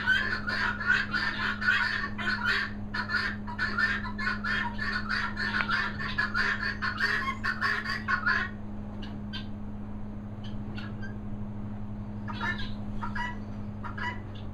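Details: Helmeted guineafowl (Numida meleagris) calling for supper at feeding time in Worcestershire countryside, with harsh, rapid, grating calls in a noisy chorus that thins out after several seconds.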